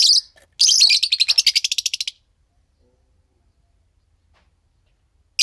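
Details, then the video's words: Green pair of Fischer's lovebirds singing: a harsh, drawn-out squeal followed by a fast, fading, stuttering series of about a dozen rasping high pulses, then silence. "Lovebird Singing & Chirping Sounds - Green Fischer Pair"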